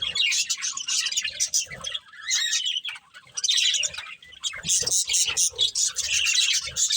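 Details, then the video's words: Pair of breeding budgerigars chattering as they feed; busy buzzy warbles and chirps come in bursts separated by short quiet gaps, with a few soft low knocks. "Beautiful Budgies Chirping Sounds"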